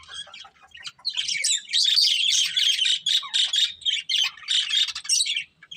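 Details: A breeding pair of budgies chirping: a few soft clicks, then a loud, steady stream of scratchy chirps and chattering warble in quick bursts roughly every half second.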